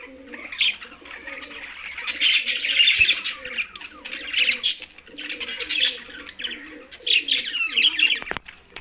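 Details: Green budgies eating, tagged Larkana, Sindh, trade loud warbled chirp bursts in waves. Beneath them runs a repeated low, soft rhythmic murmur, and a sharp knock follows near the end.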